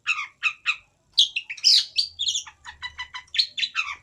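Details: Long-tailed shrike in rich, varied song: scratchy chirps, squeaky whistled notes and rapid chattering phrases running together with little pause, mimic-like in variety.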